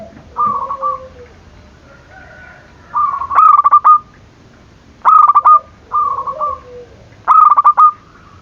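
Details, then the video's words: Zebra dove calling to provoke rival doves; softer rolling coos alternate with louder stuttering phrases of rapid clipped notes, each pair a few seconds apart, with faint lower tones beneath. "Perkutut gacor dor, memancing emosi lawan bunyi"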